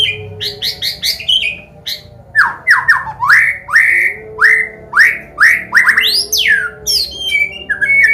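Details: Combination song of a Medan white-rumped shama, played to teach and provoke young birds to sing: a lively series of rising whistled sweeps, about two per second, mixed with quick high chips and trills.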